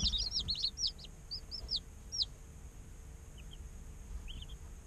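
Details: Day-old chicken chicks in an incubator peeping: a quick flurry of high downward-arching chirps at the start, then spaced single peeps, and a few faint distant ones near the end over a low hum.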